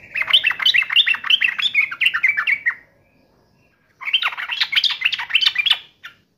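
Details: Fighting-mode yellow-vented bulbul giving two long bursts of rapid, warbling, rising-and-falling chatter separated by a second of silence.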